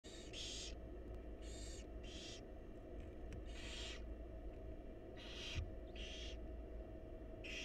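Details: Wild barn owl chicks in a monitored nest box begging while their mother feeds them: broad, harsh hissing snores in bursts of about half a second, repeated irregularly, over a steady low hum.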